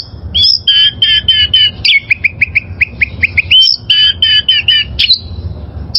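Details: Wild oriental magpie-robin song used as a training model for caged birds: fast runs of loud, clipped whistled notes, some buzzy and doubled, in bursts of rapid repeats with short pauses and a faint low rumble beneath.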